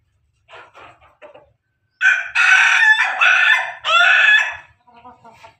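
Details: Pelung rooster crowing: a few soft, choppy clucks, then a loud, drawn-out crow of several sustained, wavering segments lasting almost three seconds, followed by quiet rapid clucks.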